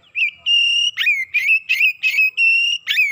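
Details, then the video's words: Excited Oriental magpie-robin unloading its repertoire: long pure whistles held on one pitch alternate with quick, rough, buzzy flourishes, all loud and close. "KACER NAIK EMOSI BONGKAR ISIAN"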